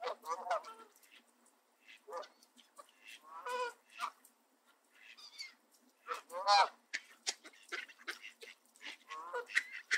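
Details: Canada geese at a park in Southern Ontario, Canada, shoving feeding Mallard ducks aside and grabbing their feathers to keep them from bird seed on the grass. Loud, raspy honks are spaced irregularly, with a few softer calls in between.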